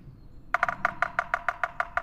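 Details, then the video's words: Yellow-bellied Sapsucker giving territorial drumming: a quick roll of three taps, then sharp knocks spaced unevenly and slowing, like a stuttering wood block. "well what you're hearing is sort of classic woodpecker drumming and in this particular case you're hearing the territorial drumming"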